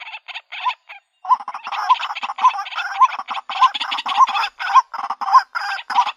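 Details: A female white-breasted waterhen calls for a mate with a rough, uneven series of croaking notes about twice a second. Many end in a brief rising tone, over a busy, overlapping background of similar harsh notes.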